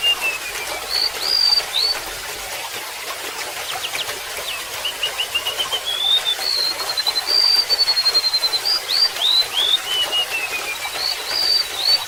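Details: Golden-bellied gerygone repeating its song several times beside trickling water: high thin whistles, rapid slurred notes and falling cascades of sweet tones, phrases recurring across twelve seconds.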